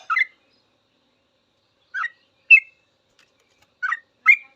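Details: Yellow-vented bulbul on a training master for cage birds: a few isolated short chirped phrases, separated by gaps of one to two seconds, otherwise quiet.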